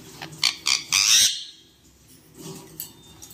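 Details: Angry parrot giving harsh, grating squawks: three short rasping bursts building to a longer, strident screech, then quieter rough calls after a brief silence.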